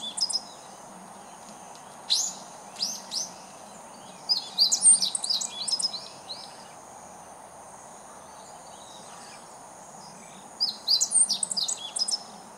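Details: Meadow bunting (Emberiza cioides) on 2014-07-19, singing as if calling to the neighbourhood; several bright, rapid phrases of sharp whistled and chirping notes, separated by pauses of a few seconds, with faint steady hiss behind.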